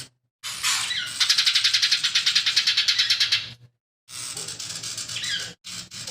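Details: Actively singing lesser green leafbird, kept as a master bird for teaching other songbirds; a long grating rattle of quick harsh pulses about three seconds long, then a rougher, noisier phrase with short slurred whistles, faint hum underneath.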